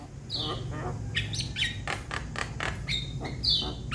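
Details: Juvenile Javan myna calling to its flock mates: a falling whistle, then a string of harsh, broad rasping calls and clicks, over a low rumbling background noise.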